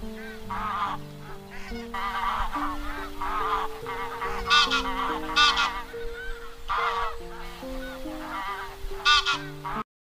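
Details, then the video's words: A flock of wild geese give loud, nasal honks in irregular bursts, several birds overlapping, over steady low sustained musical tones; these are flock-gathering calls used as a lure for trapping. "Tiếng Con Ngỗng Trời Kêu Gọi Bầy"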